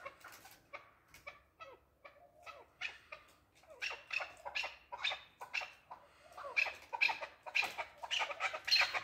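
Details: Male chukar partridge starting with soft, scattered clucks that build into louder, harsher chuck notes in a quickening series.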